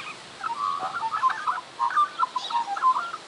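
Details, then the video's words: Semi-tame magpie that visits a garden, doing recently learned horse impressions: a run of slurred, wavering mid-pitched notes and short warbles, loosely grouped, with quiet pauses between bursts. "Magpie horse impressions"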